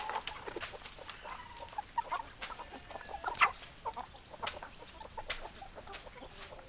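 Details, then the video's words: Hens clucking at a moderate distance: soft short clucks repeating irregularly, one brief sharper squawk in the middle, and frequent dry clicks and knocks in the background. "Chicken Sounds Noises Hens Clucking Roosters Crowing"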